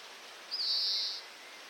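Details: Oriental greenfinch, a breeding-season male, in a Hokkaido neighbourhood: a single buzzy, drawn-out high note lasting about two thirds of a second, over faint background hiss.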